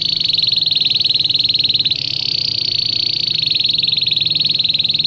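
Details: Belgian canary, song used to teach canaries: a continuous, very fast, buzzy high trill held at an even pitch for five seconds, with a slight change in texture midway.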